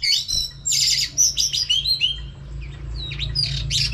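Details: Female oriental magpie-robin whistling to fire up males: bright, slurred whistles and rasping chirps early on, fading into softer scattered notes over a steady low hum.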